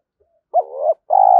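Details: Spotted dove calling in the thổ pha thúc lure style: a quiet soft note, then a rising coo that dips and swells, then a sustained, vibrating low coo that is cut off at the end.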